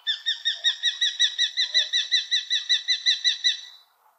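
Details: Common kestrel in the Wittlich valley, Germany, 2018: a steady series of shrill, sharp 'kee' notes, about three per second, that runs for about three and a half seconds and then stops.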